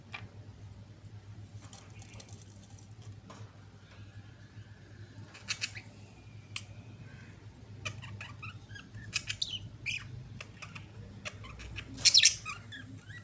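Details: Pair of pet budgerigars kissing: soft clicks and short chirps, a steady thin whistled tone midway, then busier warbling chatter and a brief loud squawky burst near the end over a low hum.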